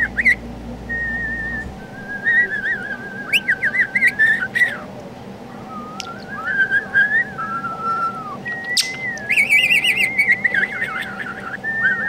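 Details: A male pet budgerigar whistles Amazing Grace on request, sustained clear notes broken by chattering warbles and clicks.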